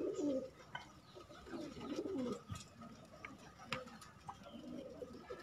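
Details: Pigeons kept as a hobby give low, throaty coos in short bursts, one near the start and another after two seconds. Scattered clicks, rustling and a faint voice sit beneath them.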